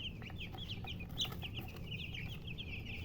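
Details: Many chicks cheeping in fast succession, thin high peeps running almost without a break, with steady low hum underneath.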